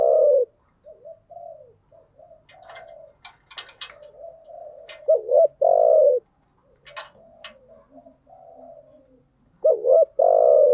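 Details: Lure cooing of a female spotted dove meant to make a decoy bird call quickly (thúc gù, gáy gọi). Strong deep coos open and close the passage, with gentle rolling murmurs and brief clicks between them.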